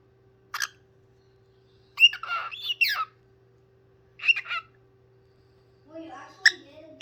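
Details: A parrot singing: brief scattered squawks and whistled chatter come in separate bursts a second or more apart, some notes sliding up or down. A burst ends in lower grating notes, over a faint constant hum.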